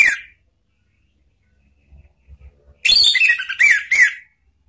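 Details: Anis Merah, the Orange-headed thrush, in a ngeplong-style lure song for cage-bird training: a short opening note, a quiet pause with faint low thumps, then a rapid burst of sharp chirps and bright, rising-falling whistles.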